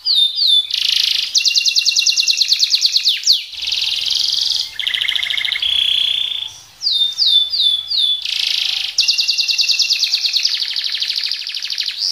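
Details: Canary singing in speed-roll and shot style, alternating dense rapid trills with clusters of quick falling sweeps and buzzy tones, the phrases repeating energetically throughout.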